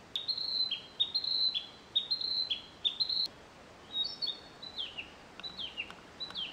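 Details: Narcissus flycatcher male singing at its breeding site in May 2013, following threat calls in a territory fight: repeated paired whistled notes, high then lower, about one a second, then looser trilled and dropping phrases, calm background.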